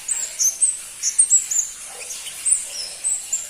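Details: ['High, thin, slightly rough notes in irregular pairs and singles from a crimson-breasted flowerpecker (pentis pelangi), with faint hiss between them.']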